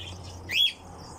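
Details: Nightjar call: a single short, clear whistled note sweeping sharply upward then levelling, heard once against a quiet background with a low steady hum.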